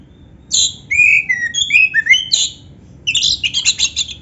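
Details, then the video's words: Oriental magpie-robin, known as kacer, pours out a varied song with canary phrases: clear whistles at changing pitches, a sharp chirp, then a rapid buzzy chatter. "suara Kacer gacor isian komplit | Masteran Kacer ISIAN Burung Kenari"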